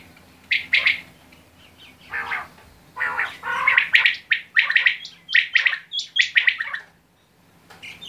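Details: Quail call series: scratchy downslurred notes grouped in pairs and threes, speeding up into a dense run of phrases before stopping, light room-like background.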